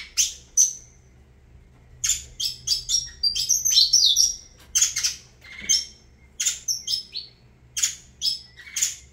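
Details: A saffron finch delivers its song in clustered bursts of sharp chirps and thin whistles, the phrases separated by second-long gaps of quiet.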